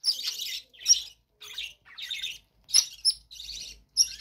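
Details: Budgerigars in a captive bird room pour out a scratchy, warbling chatter in short bursts of about half a second, with occasional sharp squeaky peaks and brief pauses between phrases.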